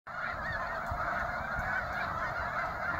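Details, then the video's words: Many snow geese at Bosque del Apache give a dense, continuous chorus of overlapping nasal honks and yelps. The calls blend into a steady roar with no gaps and no single bird standing out. "Snow geese"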